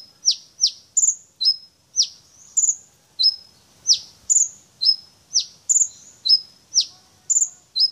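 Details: Brown-throated sunbird, a singing champion bird, in lively song: repeated sharp high downslurred chips alternating with thin high whistled and trilled notes, a steady rapid series of bright metallic phrases throughout.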